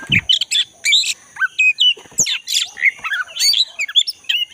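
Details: A wild, actively singing black-breasted Oriental magpie-robin in forest delivers a rapid, jumbled stream of chattering notes, squeaks and short whistles, almost without pause, against a faint high hum.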